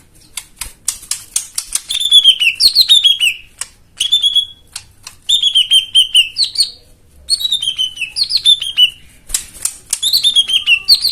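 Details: Song of a white-eye, meant as therapy for birds that have gone quiet: repeated bursts of rapid ticking clicks, each leading into a high whistled phrase that slides downward, separated by short pauses.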